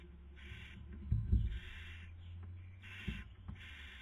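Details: At a Cabañeros National Park nest in central Spain, 2020 breeding season, a female barn owl feeds as the male tries to sleep; raspy hissed bursts come in an uneven series, broken by knocks and scuffling.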